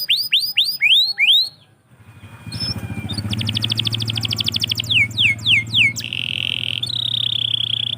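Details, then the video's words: Canary in morning song, opening with rapid upslurred chirps, then a short pause before dense, fast trills, descending whistled sweeps and a long steady buzzing note. Low mechanical hum in the background. "KICAU BURUNG KENARI - DIPAGI HARI"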